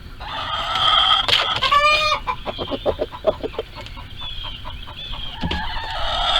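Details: Screaming hens in a farm barnyard coop while trying to lay eggs: a long, loud, harsh squawk rises over the first two seconds, then rapid clucking and another raspy drawn-out scream.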